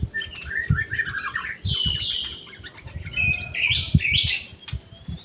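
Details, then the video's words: In an aviary, an orange-headed thrush gives a continuous run of varied, scratchy and whistled high warbles over a steady background rumble of low noise. "SUARA ANIS MERAH + JALI SUARA ASLI DI AVIARY"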